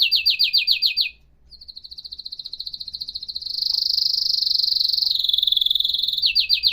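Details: Canary song meant to stir male canaries into singing: a fast, high, rattling trill gives way to a long, even, rapidly pulsed rolling tour that swells louder, then returns to the rattling trill.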